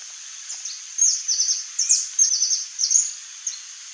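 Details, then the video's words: A saffron finch (Sicalis flaveola) sings a quick run of high, bright chirps and short trills in bursts, over a steady background hiss. "CANÁRIO-DA-TERRA canto (SICALIS FLAVEOLA), SAFFRON FINCH"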